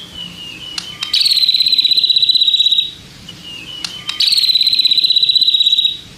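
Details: White-rumped shama sound used to provoke other shamas: two long, even, rapid buzzing trills, each preceded by a thin whistle and sharp clicks.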